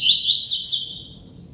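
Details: Energetic double-collared seedeater song: rapid, repeated high whistled notes leading into two sharp downslurred buzzy bursts, all within about one second, then fading.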